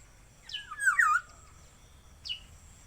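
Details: Talking Javan myna imitating speech. A voiced, harmonic phrase sweeps down from a high start into a lower wavering tone. About a second later comes a brief high downslurred note, over faint steady hiss.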